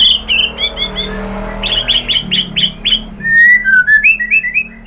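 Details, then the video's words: Provoking lure song of a white-rumped shama: a string of short evenly repeated high notes, followed by lower sliding whistles that rise in steps toward the end. "KICAUAN MURAI BATU merangsang BUNYI jadi EMOSI NYAUT GACOR NGEPLONG BONGKAR ISIAN ¦ PANCINGAN MURAI"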